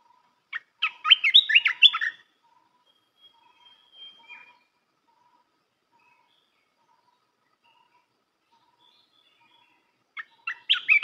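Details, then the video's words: Red-whiskered bulbul delivering song to train young birds: a loud rapid cluster of chirpy, slurred whistles lasting about one and a half seconds. A long quiet gap with faint soft notes follows, then the phrase begins again. "เสียงนกกรงตาแดงEp.168 เสียงหัดนกลูกเสอ เพลงเพราะ น่าฟัง"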